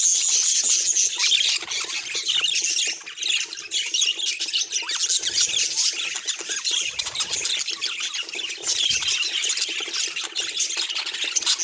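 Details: Two pet budgerigars courting, a dense stream of high-pitched chirps, squawks and warbled twitters that runs without pause, dipping briefly around the third second before resuming at full intensity.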